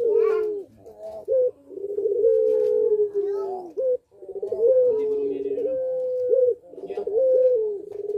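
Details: Breeding-condition puter pelung dove in a cage, cooing repeatedly. The long, level coos are separated by short choppy notes and brief gaps. Faint voices may be present in the background.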